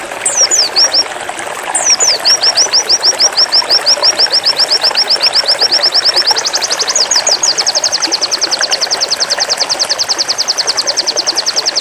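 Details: Caged pleci white-eye singing in zipper style, a long fast trill: after a few descending slurred notes comes a rapid run of high chips about two per second-fraction, stepping up in pitch midway and continuing steadily, with faint background hum.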